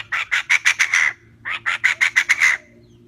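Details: Calls of a female Chinese francolin meant for luring birds into traps: two quick series of loud, grating notes, roughly six to seven per series, each series lasting about a second with a brief gap between.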